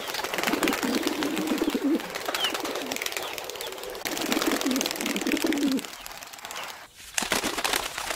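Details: Wild pigeon cooing in nature: deep, gently wavering phrases over the first six seconds, then fading into a noisy background with scattered faint chirps.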